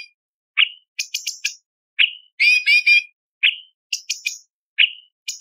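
Sooty-headed Bulbul giving short, bright rising-falling whistles about once a second, alternating with quick bursts of sharp, chattery higher notes; nothing else is heard.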